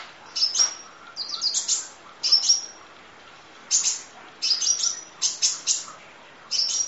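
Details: Kolibri Ninja sunbird masteran audio, 'nembak' full-fill style: clusters of sharp, high chips ending in thin whistled slurs, repeated in bursts with short silences between.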